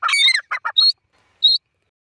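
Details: Francolin (teetar) calling: a burst of loud, harsh, squawking notes with rasping overtones, then two short separated bursts, followed by two brief, high, clear whistled notes spaced about half a second apart, with silence between.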